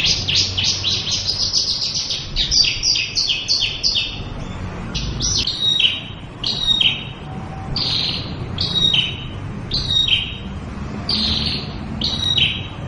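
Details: Female Oriental white-eye in full ngeriwik song: a dense burst of fast, high, twittering chirps for about four seconds, then slower, spaced pairs of down-slurred notes about once a second, with low background noise.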